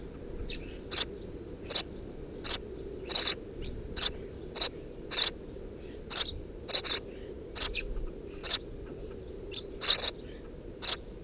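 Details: Eurasian tree sparrow nestlings, three of them, in a nest under a house roof, filmed 2 June 2017: short bright chirps repeated roughly every second, about fourteen in all, some doubled, over a low steady background hum.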